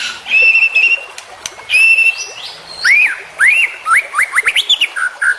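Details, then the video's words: Full-content white-rumped shama (murai batu) training song for competition birds: long steady whistles, then arched rising-and-falling whistled notes delivered in fast succession among sharp ticks. "Masteran Murai Batu Full Isian"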